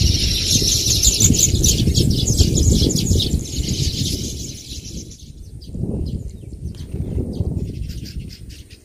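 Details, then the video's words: Baya weaver birds in a natural rural setting: dense, high chattering chirps crowd the first five seconds, then thin to scattered notes over a steady low rumble of wind or background noise. "தூக்கணாங்குருவியின் ஓசைகள் | Sounds of Baya Weaver Birds"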